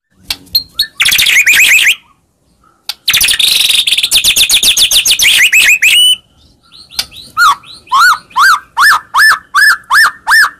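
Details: Lure song for a caged murai, meant to make a quiet bird turn agitated and sing: dense buzzy chattering passages, a brief gap, then a steady series of rising whistled notes about three per second.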